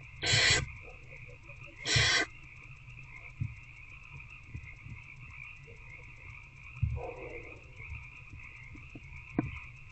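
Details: Barn owl in Owl Box C at night, 19 February 2024, during one-on-one feeding of an older owlet: two short harsh hissing screeches open the recording, then only a steady drone with faint scuffling and soft knocks.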